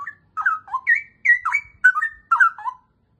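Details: Cucak rowo, the straw-headed bulbul, delivering liquid whistled song: four clear bursts of rolling, up-and-down notes, each under half a second, on a quiet background.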